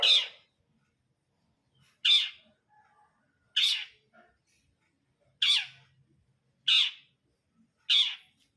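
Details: Long-tailed shrike, brundol style: six loud, harsh, screeching rasps spaced about 1.5 seconds apart, each a short scratchy note falling slightly in pitch, with silence between.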